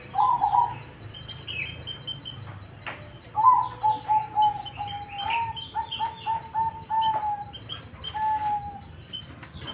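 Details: Cemani zebra dove in energetic song: an opening trilled coo, then a long series of rapid, clipped low coo notes sliding slightly downward, amid high chirping from other birds.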